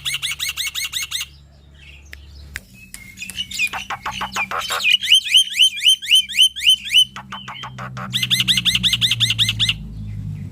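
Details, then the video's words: Male black-winged myna in loud, varied song, meant to make lazy mynas start singing. Stuttering bursts of rapid high notes, scattered clicks, then a chain of dropping whistles, ending with another fast rattling burst. "Jalak Putih Super Gacor Full Isian Mental Baja Suara Keras"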